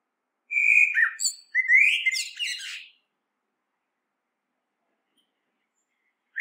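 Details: Clear whistled notes from a common blackbird leading into a squeaky, scratchy high twitter, followed by a long silence and a last rising whistle.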